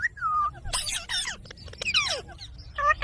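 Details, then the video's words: Green pet parrot talking in quick, speech-like bursts: a falling tonal note, noisy harsh syllables, downward-sweeping chirps, then short ringing notes at the close. "Parrot Talking video"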